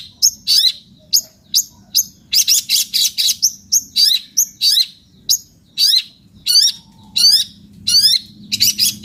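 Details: Long-tailed shrike singing loudly: irregular series of sharp, high, scratchy chirps, some clustered into quick bursts, others spaced out, with a faint soft whistle in the background.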